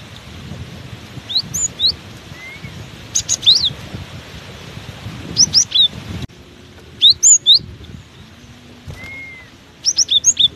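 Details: Cinereous tit keeps singing hard while buffeted by strong wind: short bursts of three to five high, sharp whistled notes, repeated in several phrases, over a steady low rumble of wind.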